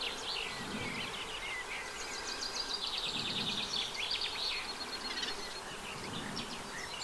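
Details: Eurasian reed warbler at a nest in a wet meadow beside the freshwater Vilaine above the Arzal dam, Brittany, France, on 15 June 2023. Rapid chattering song of repeated scratchy notes, fairly faint, over a steady low rumble.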